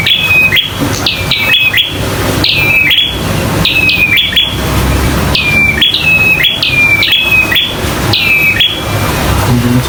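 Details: Local bar-winged prinia singing in fighting mode; loud repeated bursts of sharp, buzzy upslurred notes with short ringing whistles, delivered in rapid clusters with brief pauses, close and indoors-sounding.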